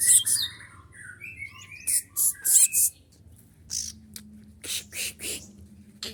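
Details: Sunbird kept at home, its energetic song full of mimicked phrases: quick high chips and descending whistled slurs, then a series of sharp, loud chirps about every half second, with faint low rumbling behind.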